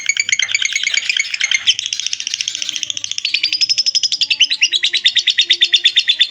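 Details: Lovebird giving its long ngekek chatter, a recording meant for training other birds: a fast run of shrill, buzzy notes, roughly three per second, high and continuous, shifting in pitch near the end.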